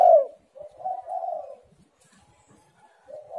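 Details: Spotted dove cooing as a lure for reluctant callers: one loud coo at the start, then soft, low, drawn-out cooing fading into near silence.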